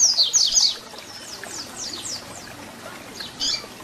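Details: Papa-capim, the double-collared seedeater, with fibra 'Tui Tui Zel Zel' song for teaching young birds; a brief loud burst of high notes, then softer repeated downslurred strokes and a final short phrase.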